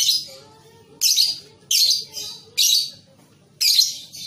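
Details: Young lovebird (paud) in a recording used to train lovebirds to sing. Four or five short, harsh, buzzy chatter bursts come about a second apart, separated by quiet gaps with faint lower twittering.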